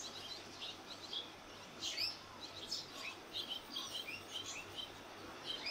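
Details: At a busy fledging along a street of swallow nests, barn swallow parents and young birds from other nests swirl nearby. Short, sharp, high chirps and twitters come in quick irregular bursts, with a low background hum.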